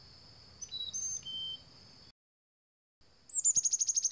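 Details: Black-capped chickadee at a bird feeder gives a few thin whistled notes at varied pitches, then, after a brief silence, a rapid run of about eight buzzy notes, with a constant high insect hum behind.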